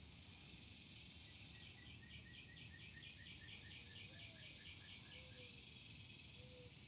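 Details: A Northern cardinal singing from up above at White Rock Lake, Dallas, Texas, on 26 June 2023 repeats quick clear, slurred whistled notes, about three per second, over a buzzing cicada chorus, with a few low soft mourning dove coos.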